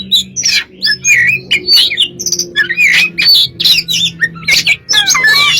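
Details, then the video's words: Singing white-rumped shama for luring birds: quick varied phrases of whistles, squeaks and buzzy chatter, with a constant low hum underneath. "burung kacer gacor untuk pncingan"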